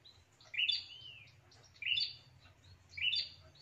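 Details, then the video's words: Prinia lure call: three separate bursts, each a rising then falling buzzy chirp with high overtones, spaced about 1.2 seconds apart, over faint low hum. "SUARA PIKAT PRENJAK TANPA ZONK"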